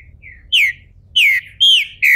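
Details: Caged green-winged saltator in Brazil, bald and coming out of moult, kept by a registered breeder: a faint short whistle, then four loud clear whistled notes, each sliding sharply downward, delivered in quick succession.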